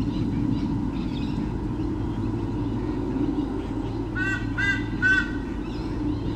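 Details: Pair of white-bellied sea eagles at Sydney Olympic Park, Australia, in 2013, defending their territory from swooping currawongs, filmed by a nest camera: a burst of three loud honking calls near the end, over a constant low roar.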